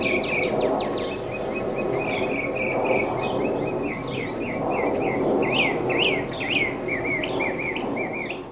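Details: Male northern mockingbird singing atop a tall mesquite tree in central Arizona: rapid, varied chirps and slurred whistled notes, short phrases repeated several times, over a steady low rumble of machinery from jets and tractors.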